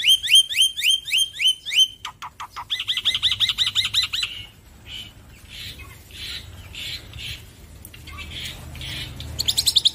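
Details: Rapid upswept whistles from a loud male black-winged myna give way to a dense buzzy chatter, softer drawn-out notes, and a closing burst of quick chirps.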